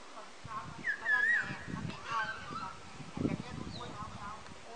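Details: Black-throated laughingthrush (Pterorhynchus chinensis), recorded 14 August 2015: a few harsh, nasal, honking calls with a short rising slur, over low rumbling background noise and faint thumps.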